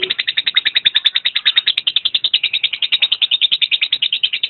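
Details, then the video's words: Lovebird chattering nonstop: loud, shrill, evenly spaced notes repeat about three times a second throughout, forming a steady, rapid, buzzy trill with no pauses. "Video kicau burung Lovebird"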